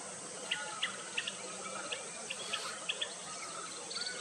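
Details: Black-throated munia (Jerdon's mannikin) chicks being fed, recorded at Vamanjooru near Mangalore, India, in December 2022: short, high, squeaky peeps come in irregular bursts over a steady high insect hiss.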